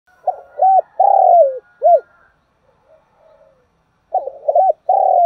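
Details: Spotted dove used as a decoy bird, calling to attract wild doves: low hoarse cooing phrases, two short notes then a long drawn coo and a clipped final note, repeated after a quiet pause.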